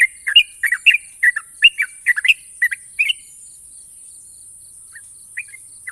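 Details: National champion yellow-vented bulbul pouring out a rapid run of sharp, bubbly notes for three seconds, then falling nearly silent with a few soft chirps, over a constant high hiss.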